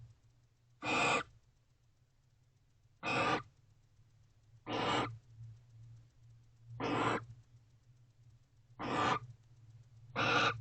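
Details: A pair of barn owls together in a nest box at night, 3:19 am, 29 November 2023. Six harsh, rasping broadband hisses, each about half a second long, repeat roughly every two seconds over a steady low hum.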